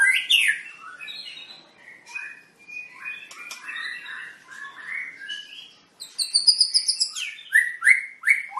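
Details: White-rumped shama, long-tailed Medan bird, during a breeding pairing session: varied whistles and slurred phrases, then a burst of loud, high, rapidly repeated notes and several sharp downslurred whistles.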